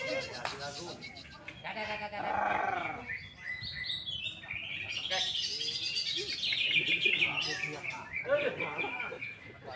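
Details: Indonesian contest greater green leafbird, first-place winner, in heated full song: a rapid, loud stream of high chirped and trilled phrases repeating several times a second, mixed with warbling from other birds and faint talking nearby.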